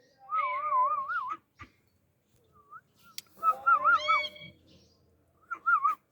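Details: Pet Indian ringneck parakeet giving clear warbling whistles, a wavering trilled note repeated in three short bursts with brief harsh sounds between, over quiet background.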